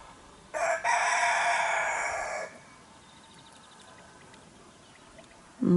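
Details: On a foggy, cool morning in a West Siberian village, a rooster crows once, a drawn-out harmonic cock-a-doodle-doo in a roll call with neighbouring roosters, including one far away.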